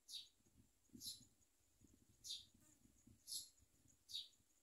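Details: Common mynas feeding their young: single sharp, high squeaks about once a second, with faint low shuffling noises in between.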